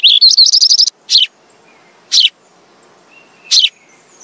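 A sparrow gives a fast run of about nine bright chirps, then three single descending chirps spaced a second or more apart. Quiet background.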